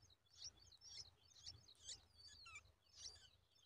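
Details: Bulbul chicks stretch toward their mother as she brings a spider in her beak, giving high, thin squeaky begging notes in quick irregular bursts, about two per second, over a low steady hum.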